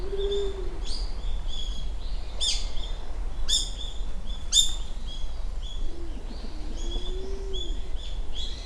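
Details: Japanese wood pigeon on Uwa Island, Kaminoseki, Japan, 29 January 2024, early morning around 7 a.m.: a short low moaning coo at the start, then a longer wavering coo later, under busy high chirps of small birds.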